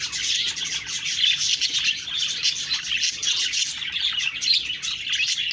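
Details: Lively budgie chirping: overlapping thin, high tweets and chattering warbles from several birds, steady and unbroken.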